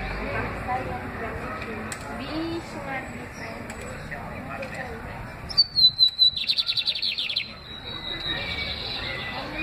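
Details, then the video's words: Very excited lined seedeater giving a high whistled note that leads into a rapid, rattling pulsed trill lasting about a second, with soft background noise and faint scattered chirps before and after. "bigodinho muito fogoso!"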